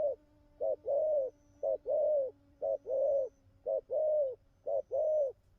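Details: Wild-caught young spotted dove cooing well: paired coos, each a short low note followed by a longer warbled coo, five pairs repeated about once a second against a quiet background.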